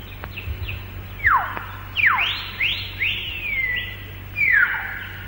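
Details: Hill myna in the Malaysian rainforest, recorded between the late 1950s and early 1960s, giving loud, clear whistled notes: sharp down-slurred and up-swept calls spaced about once a second, some drawn out, over a low steady background hum.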